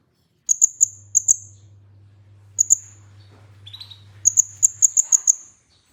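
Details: Olive-backed sunbird, known locally as kolibri ninja, singing in a lure recording: bursts of sharp, very high ticking notes, three to six in a row, separated by pauses, with a brief lower buzzy phrase and a faint low hum.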